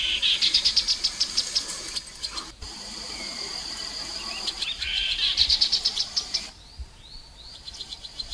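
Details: Chestnut-capped babbler recorded on the Mekong riverbank in Nakhon Phanom, Thailand, in 2021, played as a lure sound: bursts of rapid, rising pulsed trills, two phrases with a pause between, over a hissing insect background.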